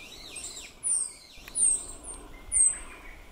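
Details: Meadow bunting recorded 31 May 2022 with an Olympus OM-D E-M1 Mark II camera: three very high, thin, sharply falling notes about a second apart, over lower chirping from other birds and steady background hiss.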